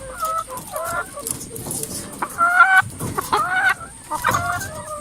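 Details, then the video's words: Noisy flock of hens inside a coop: overlapping clucks and longer strained cackling notes, loud bursts rising out of a busy murmur of softer calls, with a faint constant high whine behind. "Hen sounds effects - Lot of chicken in coop making various noise"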